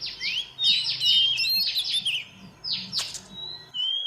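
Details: Oriental magpie-robin, a female singing to stir males, gives loud overlapping whistles and downward sweeps in close succession, with a faint hum below.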